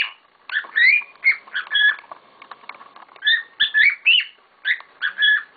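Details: Pet cockatiels making a racket indoors: a string of bright, whistled chirps, some sliding upward, in two clusters with a short quieter break.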